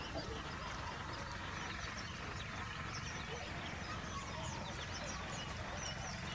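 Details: Baya weavers feeding in an agricultural field give a steady scatter of thin, high chirps and twitters over a constant low rumble of wind or distant traffic.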